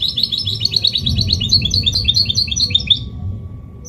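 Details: Goldfinch hybrid (mule) in clean Malaga-copy song, played to stimulate males and teach chicks: a rapid, even trill of high tinkling notes running for about three seconds before stopping abruptly, with a low background hum.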